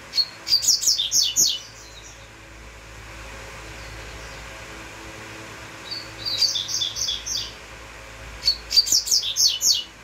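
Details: Double-collared seedeater sings three separate phrases of rapid, high, repeated whistled and chipped notes, with pauses between them, over a quiet low background hum.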